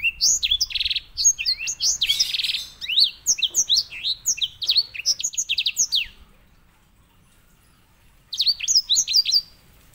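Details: Grey singing finch (white-rumped seedeater, Serinus leucopygius) singing its characteristic rolling song, a rapid, high run of sweet slurred whistles and trills for six seconds, resuming after a two-second pause.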